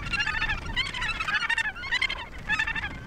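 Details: Australasian gannets calling at the Point Danger colony near Portland, Victoria, Australia: hoarse, grating harmonic calls in short pulsed bursts, repeated roughly every half second, loud and close, with faint low background noise.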